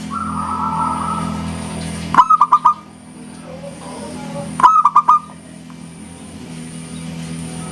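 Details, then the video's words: Local Zebra dove singing actively. Two separated clusters of quick, soft, stuttering coos stand out, with a steady low hum throughout and a brief third note at the very end. "SUARA PERKUTUT LOKAL GACOR, JERNIH ENGKELnya BIKIN RAMAI SAUTAN"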